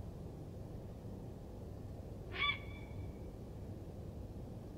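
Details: A single harsh, grating croak from a grey heron, a wild winter visitor in Palestine, rising briefly out of steady low background noise, with a faint trailing whistle-like tone.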